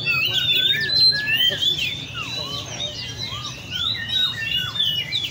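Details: Caged Oriental magpie-robins (chích chòe than) at a bird cafe in Le Thi Rieng park sing over one another: clear whistled notes sweeping up and down, quick overlapping phrases from several birds, with a low murmur of background noise.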